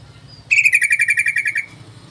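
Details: Yellow-vented bulbul call used as a lure to draw other bulbuls: a loud, rapid, bright chattering burst of about fourteen quick pulses lasting just over a second, with low background rumble before and after.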